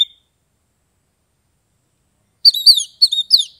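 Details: An Oriental magpie-robin from Kebumen, Central Java, gives about a second of clear, high whistled song after a long silence: sliding, twisting notes in two quick bursts.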